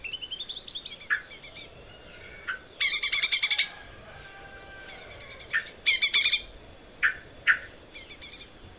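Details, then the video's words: Vigorously singing caged Lesser green leafbird, recorded as training material: scattered short whistles and sharp notes, broken by two loud rattling chatter bursts, with quiet gaps between phrases. "kicau cucak ijo mini gacor buat masteran"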